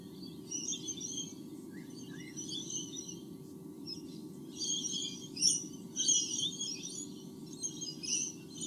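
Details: White-bellied sea eagle nest in Australia with two chicks, 8 August 2015, recorded on a nest camera: soft high chirps building to denser, louder bouts of shrill twittering near the end, with a low background hum throughout.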